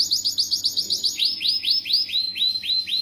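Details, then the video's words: Canary singing loudly, a song used to prompt young canaries to start singing: a fast series of rising, upward-sweeping whistled notes repeated about four times per second, changing to slightly longer sweeps midway, with no other sounds. "Suara Burung Kenari Gacor bagus untuk pancingan Kenari paud"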